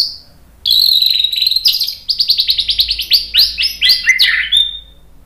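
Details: White-rumped shama singing to provoke birds into song: a long high sustained whistle, then a fast series of repeated bright chirps, speeding into a rattling trill that falls away at the end.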